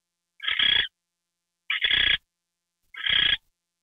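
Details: During a nighttime mouse treat in January, an owl gives three longer, rough, hissing screeches, each about half a second and slightly stuttered at the start, spaced over a second apart.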